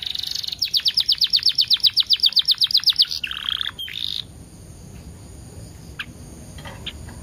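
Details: Canary singing as a prompt track meant to set other canaries singing: a fast, even trill of about four bright high notes a second for nearly three seconds, a short buzzy rattle, then near quiet with a few faint chirps.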